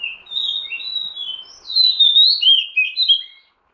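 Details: Oriental magpie-robin sound meant for luring birds: a rapid string of clear, rising and falling whistles and slurred warbles, ending abruptly into silence; faint steady hum in the background.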